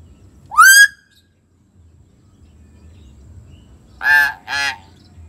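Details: Common hill myna call, played to prompt a silent bird to sing: a loud rising whistled note, then after a pause two harsh, nasal, honking calls in quick succession, over a faint low hum.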